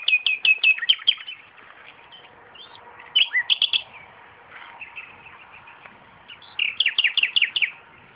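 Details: A common nightingale singing around tomato plants in a garden gives loud phrases of rapid repeated high notes, each burst lasting about a second and separated by pauses filled with softer chattering notes.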